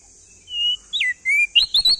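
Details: Male crested white-eye from East Nusa Tenggara: a thin level whistle, a sharp downslurred note, a longer clear whistle, then three quick rising chips, over a faint high hiss.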